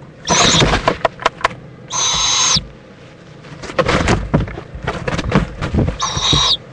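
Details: Mother owl and owlet in Indiantown, Florida, 11:45 AM, February 26, 2014, preening together; two harsh hissing screeches, each under a second, surrounded by loud rustling, scraping and tapping from movement in the nest.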